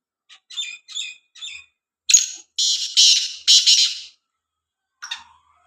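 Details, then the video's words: Black francolin giving a few soft stuttering chirps, followed by three loud harsh grating bursts in quick succession and one brief closing note. The background is quiet. "kala teeter ki awaz"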